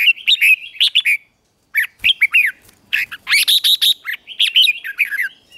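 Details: Dense, energetic phrases of a red-whiskered bulbul being trained to sing in the morning: rapid warbled and chirped notes, one brief pause, then a fast continuous burst.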